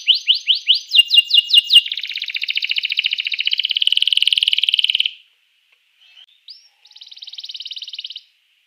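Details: Canary song for stimulating rival canaries: a fast string of sweeping notes merges into a long, loud, rattling trill lasting about three seconds, then a short pause and another buzzy trill.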